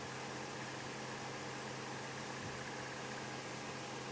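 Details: Idling vehicle engine gives a constant low hum over a broad hiss, with no calls heard.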